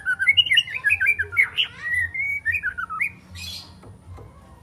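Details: Juvenile spotted white-rumped shama aged three months, learning sharp tembakan and besetan notes; loud chattering warbled whistles run for three seconds, ending with a soft scratchy rasp.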